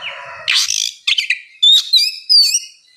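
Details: Oriental magpie-robin song used as a relaxed 'ngeplong' therapy to prompt a reluctant bird to sing: harsh buzzy bursts followed by clear whistled notes, some bending up and down, with short pauses between phrases.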